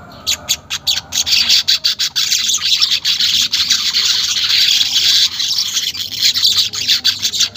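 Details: Unedited weaver song for coaxing caged weavers to chatter: a run of separate sharp chirps at first, then merging into a continuous buzzy high twitter.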